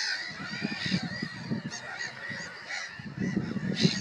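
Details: Harsh, grating calls of Black-headed gulls overlapping steadily, with a low rumbling and knocking noise underneath throughout.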